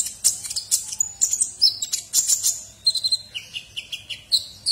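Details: Kolibri ninja sunbird singing energetically for tutoring white-rumped shamas and oriental magpie-robins; dense high twittering and buzzy notes run into a series of lower, evenly spaced chips.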